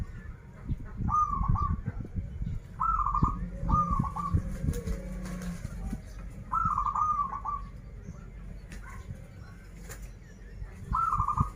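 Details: Local Banten zebra dove giving 'krital' and 'warung kebek' song: six short trilled coo phrases scattered across the recording, amid loud low-frequency rumble, clatter and possible wing flaps.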